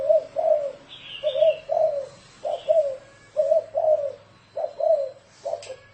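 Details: Spotted dove giving the 'thổ rền' style of cooing, used as a decoy to lure wild doves: loud, clear low coos in short grouped phrases, repeated steadily, with faint higher chirps from another bird.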